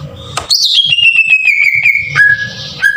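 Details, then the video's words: Green leafbird delivering harsh bursts meant to stir other leafbirds into singing. A sharp rising shriek drops into a long whistled note broken by rapid clicks, then a lower steady whistle. "PANCINGAN PENDONGKRAK EMOSI CUCAK IJO TEMBAKAN KASAR"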